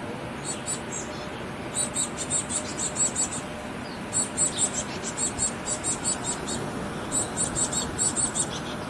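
Chickadees give thin, very high chips in quick bursts of four to six notes, repeated every second or two over a steady rushing background.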